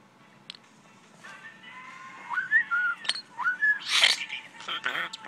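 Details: Pet common starling talking, recorded indoors in May 2013: soft rising whistled notes and slurred phrases, then a burst of harsh noisy chatter and mixed squeaky sounds.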